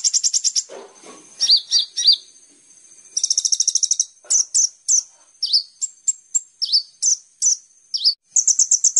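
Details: Kolibri ninja, a sunbird, in a training recording used to lure other birds into singing: very high, rapid buzzy trills and bursts of sharp downslurred chirps, with brief pauses between phrases.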